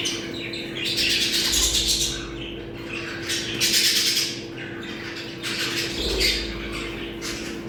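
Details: Budgerigars calling in a small room, sound used to bring pet birds into breeding condition: bursts of high squawking chatter coming in waves about every two seconds, over a steady low electrical hum.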